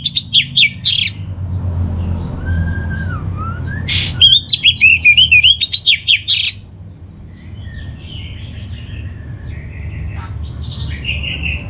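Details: Song of an orange-headed thrush: two bursts of rapid, warbling whistles with harsh buzzy notes, separated by a soft descending whistle, then quieter distant chirps against low hum.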